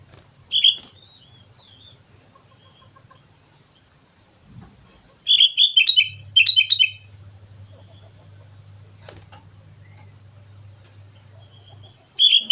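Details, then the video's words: Sooty-headed bulbul on Mount Slamet singing lively, gacor-style: a short bubbly phrase near the start, a louder cluster of rich, fluty, warbled notes around five to seven seconds, and another burst at the end, with quiet pauses and a low hum between. "suara burung kutilang gacor gunung slamet"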